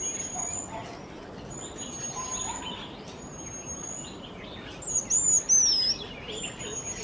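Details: In Kerala, India, a Jerdon's bush lark sings a thin, very high whistle that loops up and down in a wavy phrase near the end, following quieter high notes and soft lower calls of other birds.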